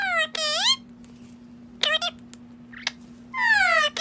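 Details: Pet parrot indoors, talking: three loud, high-pitched, harmonic speech-like utterances, the first and last drawn out and bending downward, with a shorter burst between them, over a steady low electrical hum in a small room.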